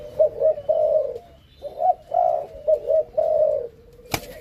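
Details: Captive Malaysian-strain spotted doves, a male and female being paired for breeding; soft low coos in three grouped phrases, each a quick pair of notes then a longer drawn note, ending with a sharp click.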